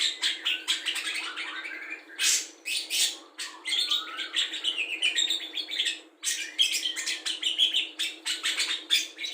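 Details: Budgerigar kept as a tutor for songbirds, filled with imitations of cucak jenggot, kapas tembak, lovebird ngekek and fighting sparrows; dense, fast chattering warble of buzzy chirps and scratchy notes, broken by short loud bursts and brief pauses.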